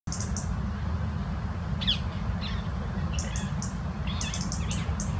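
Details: European robin (Erithacus rubecula) in a rose garden ticking irritably at two rose-ringed parakeets on the branch above: sharp, high ticks in quick clusters with a few harsher swept calls, over a steady low rumble.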